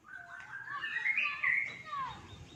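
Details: Oriental magpie-robin (kacer) singing a rich, varied phrase of high whistles that rise, hold, then end in a quick falling slur, over faint background hiss; the song is offered as a tutor recording for silent kacers.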